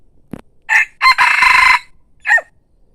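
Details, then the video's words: A single loud crow from a fine-looking decoy rooster: a short opening note, a long strained middle syllable, then a brief falling final note, against a quiet background. "ไก่ต่อสวย, ขันม่วน saib qaib cuab qua zoo nawb"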